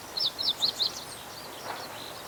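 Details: Meadow bunting in reeds of a fallow rice field, 19 April 2021: a quick string of four high, sharp, slurred chirps, then faint background hiss.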